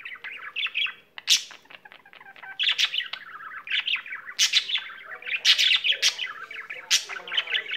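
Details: A pet budgie's chattering song: quieter clicking ticks early, then bursts of squeaky tweets and buzzy warbled phrases that grow denser and louder toward the end.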